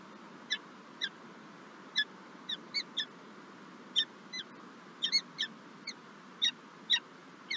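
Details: Wild peregrine falcons at a nest site in Lublin, Poland, 9 March 2024, as the female lays her first egg and the male arrives with a prey gift; short harsh chipping notes, about fifteen in irregular bursts, over steady background hiss.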